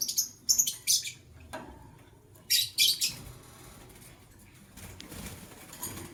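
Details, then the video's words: White lovebird, part of a matching pair, heard in the morning giving rapid bursts of shrill, scratchy chirps in quick clusters, several in the first second, another cluster at two and a half seconds, then quieter. "White LoveBird Chirping Sounds"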